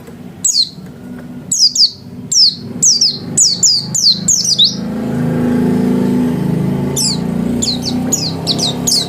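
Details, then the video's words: Home-kept white-eye singing energetically: bursts of high, sharp downward-sweeping chirps in quick clusters, then a passing car's low rumble swells and partly masks the bird before more thin chirps return at the end. "Burung pleci gacor kelas rumahan"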